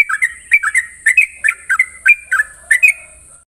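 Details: Sooty-headed bulbul morning ropel song, with paired and tripled bright whistled notes in quick groups that fade out at the end, over a steady high hiss.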